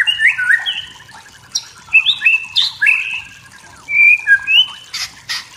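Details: Wild forest white-rumped shama singing to stir up rivals, a lively run of varied whistles, slurred rising and falling phrases and short chirps following one another quickly, with a brief high hiss near the end.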